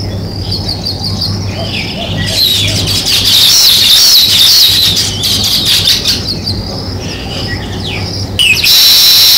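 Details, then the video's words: A flock of sparrows chirps busily in a high, overlapping chatter that swells in the middle, with a sudden louder burst near the end. "Sparrow Chirping Sounds | Natural Sparrow Sound"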